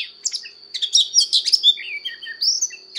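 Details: Oriental magpie-robin in fighting song, training its voice: a short quiet start, then loud sweet whistles and rising and falling slurs, with a faint constant high tone behind.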